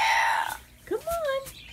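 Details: A chatty female Amazon parrot talks in a speech-like voice indoors: a held, nasal tone, then two quick rising-and-falling syllables.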